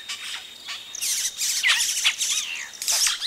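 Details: Close-up of yellow-rumped cacique nestlings begging while adults come to the nest: dense, high, raspy chatter swelling into loud continuous bursts of squeaky and buzzy notes, other birds audible.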